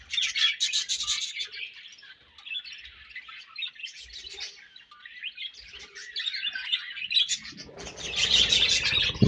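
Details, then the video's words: Budgerigar colony in full chorus: rapid, overlapping high chirps and warbles pulsing along, fading slightly midway, then a loud, harsh burst of squawking chatter at the close. "Budgies Colony Chirping Sounds"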